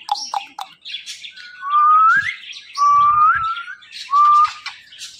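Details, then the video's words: Green talking parrot whistling: three loud, clear, drawn-out whistled notes that slide upward, each about half a second to a second long and spaced roughly a second apart, with soft chatter and squeaks between them. "Talkative Green Parrot"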